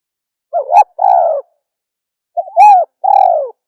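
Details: Two cooing phrases from a female spotted dove. Each has a rising, swelling first note and then a longer, steady, slightly falling hoot, with about a second of silence between phrases.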